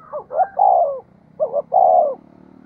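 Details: Spotted dove used as a decoy, cooing at a fast pace to draw wild doves into calling: two low coo phrases, each two quick hoots then a longer falling note, less than a second apart.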